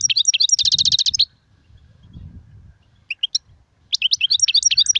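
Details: European goldfinch song, styles named sarfati, guezrati and tsersir: tinkling notes lead into a rapid buzzy trill lasting about half a second, a pause with faint rumble, then sharp chirps and renewed lively twittering.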